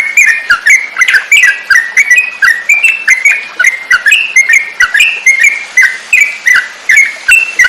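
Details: Song of a yellow-vented bulbul (trucukan) meant for training songbirds: evenly spaced bright whistled notes, up-and-down in pitch, roughly two to three each second, over light clicking.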